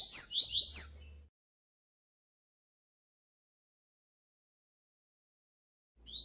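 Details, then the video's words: Tutor double-collared seedeater male giving the tui tui song with an opening trill for training young males: a brief burst of high sliding whistles, then long silence before the next phrase begins. "Coleiro professor tui tui com repique de entrada para ensinar e treinar machos!"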